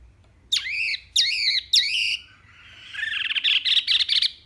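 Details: Wambi mini singing a tembakan-style phrase, recorded as a tutor track for songbirds: three loud, sharply rising-then-level whistled notes, then a rapid, buzzy, stuttering trill that grows slightly louder.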